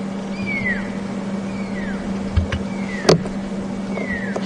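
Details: A tiny Pearl-spotted Owlet at Djuma Game Reserve, South Africa, heard on a morning safari drive on 17 May 2015, gives clear, falling whistled notes about one per second over a vehicle engine hum and clicks, amid birds alarmed by a suspected snake or mongoose.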